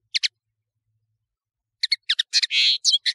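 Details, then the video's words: European serin, locally nino in Algeria and kamatcho in Morocco, on a bird-tutoring recording: two quick high notes, silence, then a short high jingle around a drawn-out buzzy note. "تغريد طائر التفاحي"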